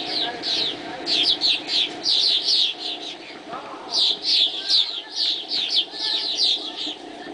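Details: At daybreak, a group of swallows keeps up rapid, busy high-pitched twittering, with notes tumbling over one another and a brief lull midway.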